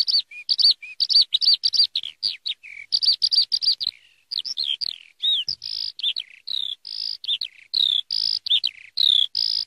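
A Eurasian skylark pours out a fast, unbroken stream of high chirps and trills, later mixed with short clear whistles. No other sounds are heard.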